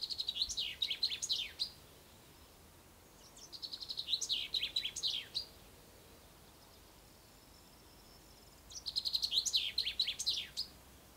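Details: At sunrise on spring's first day, a common chaffinch sings in riverside poplars along the Ucero: three quick, accelerating trilled phrases that tumble downward to a terminal flourish, each a few seconds apart, over quiet background.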